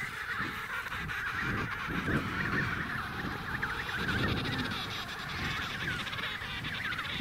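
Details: Emperor penguins at Snow Hill trumpet continuously, with many birds giving overlapping buzzy, honking calls at once over a steady low wind rumble.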